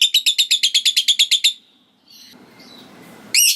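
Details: Lovebird giving the ngekek, a long chatter said to prompt other lovebirds to start their own: a rapid run of about twelve shrill, evenly spaced notes, then faint chirps and a final piercing burst.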